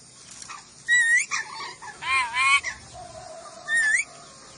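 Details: Ornate lorikeet from Sulawesi, masteran recording; shrill upslurred squeals alternate with a long buzzy, wavering double screech, plus softer chatter in between.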